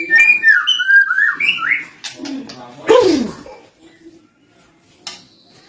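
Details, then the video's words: Captive lovebird tutored with recorded birdsong in cililin style: a run of warbled, swooping whistles, then a short harsh descending squawk, followed by near silence and a faint final note. "bongkar isian cililin Lovebird masteran burung"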